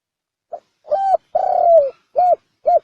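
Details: Spotted dove giving a 'chuông đồng' bronze-bell style coo meant to lure wild birds and excite males and females. A brief soft pip, then a level coo and a long purring note falling at the finish, followed by two clipped coos in still air.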